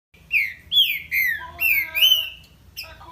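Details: Green-winged saltator (trinca-ferro) singing: loud, clear whistled phrases, each a sliding, slurred note repeated about every half second, over a faint low hum.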